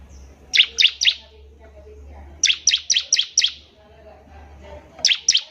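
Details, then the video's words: Bar-winged prinia in active song, meant as a tutor for young birds. Short groups of sharp, high, falling notes come in threes and fives, with a steady low hum behind them. "CIBLEK GACOR || SANGAT COCOK UNTUK MASTERAN CIBLEK PAUD BELAJAR BUNYI"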